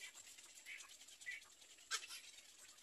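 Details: Little egret nestlings waiting at the nest for their mother give short, buzzy, nasal calls, followed near the end by a sharp clicking burst. A constant high-pitched hiss runs underneath.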